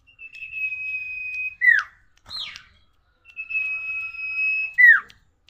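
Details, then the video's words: Tailorbird in a lively njoros song: a steady, pure held whistle ending in a sharp downslurred note, a brief rasp, then the same whistled phrase again. "suara burung sirtu gacor njoros"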